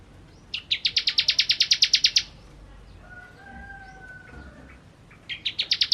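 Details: Bar-winged prinia, locally ciblek, singing kristal song: one long, rapid train of high, piercing repeated notes, then a soft lower whistled tone, then a new burst beginning.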